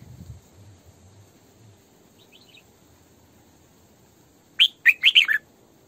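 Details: A female red-whiskered bulbul used as a decoy for training and trapping bulbuls. Faint distant chirps are followed by one loud phrase of four quick, warbling notes in the 'sổ bọng căng' style.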